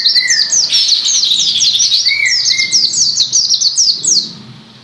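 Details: Energetic white-eye song, Gresik, made of rapid high downslurred notes that stop abruptly near the end; a lower level whistle sounds twice alongside.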